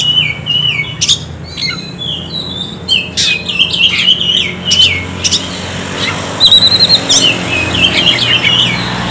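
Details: Oriental magpie-robin lure song: bright whistled phrases alternating with scratchy, buzzy outbursts, then a high ringing trill. A faint low rumble sits behind.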